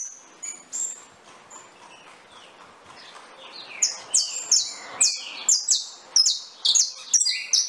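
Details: Saffron finch song opening with faint, sparse high notes, then swelling into a loud, steady chain of sharp downward-slurred chirps repeated about twice a second.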